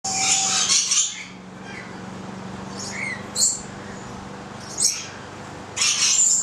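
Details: Stella's lorikeet (Charmosyna goliathina) eating bread, giving harsh, high screeches in short bursts every second or two, with a steady low hum underneath; 25 April 2014.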